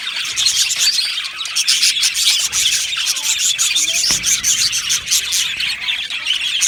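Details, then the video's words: Numerous budgerigars in an aviary colony produce a steady flow of quick chirps, twittering and soft squeaks, evenly loud and busy from start to end. "Beautiful Budgies Birds Singing and Chirping Sounds"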